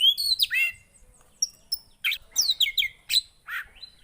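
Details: Javan white-eye, a recording meant to get a non-singing bird going: high, sweet upslurred and downslurred whistles followed by spaced sharp chirps, with a faint low rumble in the background.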